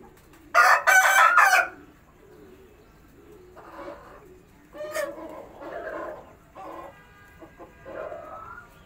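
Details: Pigeon whose call is said to sound like a bantam chicken: a loud, harsh, crow-like burst of about one second near the start, followed by quieter broken, wavering calls in uneven bursts over a low background hum.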